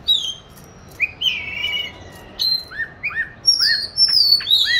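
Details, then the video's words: Oriental magpie-robin kept in a cage since 29 July 2020, recorded on 22 March 2021 while hung up for singing training. Separate high whistles and short slurred notes, with a louder sweeping phrase near the close. "Tổng hợp các clip về con than chuyền nuôi 29-7-2020(clip quay 22-3-2021) treo chỗ lý tưởng luyện hót"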